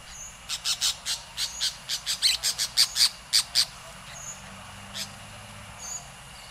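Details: Orange-chinned Parakeets in Costa Rica, a fast series of about a dozen sharp high chattering notes, almost two per second, then a few scattered notes, with faint thin whistles in the background.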